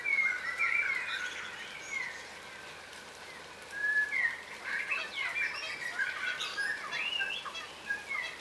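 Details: Yellow rosellas, a crimson rosella subspecies, feeding on the ground: bright whistled slurs at the start, a brief lull, then a dense burst of piping, chattering calls from several birds.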